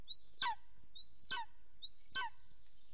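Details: Golden eagles at a camera-watched nest in Soomaa National Park, southwestern Estonia, 9:35 am on 1 April 2024, as the female takes a break and the male returns home: three high, thin calls, each a rising whistle ending in a sharp downward slur, under a low rumble.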